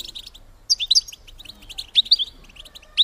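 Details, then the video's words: A female European goldfinch gives its mating-stimulus call: short groups of sharp, high, tinkling chirps, two main clusters about a second apart, then a final bright note. "بتبتة انتى الحسون لتحفيز الدكور على التزاوج"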